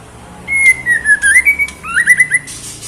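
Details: Female white-rumped shama calling to the male: a clear whistled note that slurs gently downward, a rising upslurred whistle, then a quick run of short rising whistled notes, with faint high hiss in the background.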